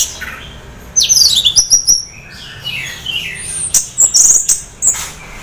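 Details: Orange-headed thrush half in breeding condition, used to prompt other thrushes to sing, delivering quick high sliding whistles and sharp chirps in two bursts separated by a short pause.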